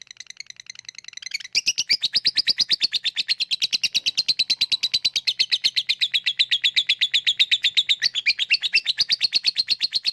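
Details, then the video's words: Lovebird 'ngekek' used to spur lazy lovebirds into song: brief quiet ticking, then a sudden loud burst of very fast, buzzy high chatter held steadily for over eight seconds. "Ngetik lanjut ngekek@Pancingan untuk Lovebird yang malas bunyi"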